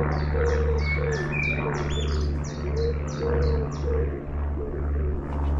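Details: Long-tailed tit in town giving a quick series of about ten thin, high, downward-slurred notes, each falling sharply in pitch, with a steady low mechanical hum underneath throughout.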